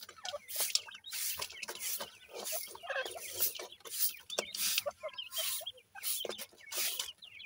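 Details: Young francolins being fed: soft high cheeps in quick, irregular bursts, partly buried under repeated broadband scraping and pecking sounds.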